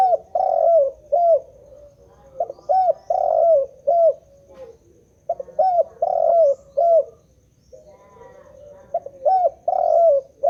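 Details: Spotted dove in nonstop song: repeated phrases of hollow, gently rising-and-falling coos, roughly two or three notes per phrase with short gaps, continuing steadily through the stretch.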